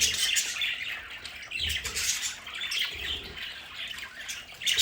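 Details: Pet budgerigars in their home play area keep up continuous scratchy chatter and squawks over a constant rushing, water-like hiss.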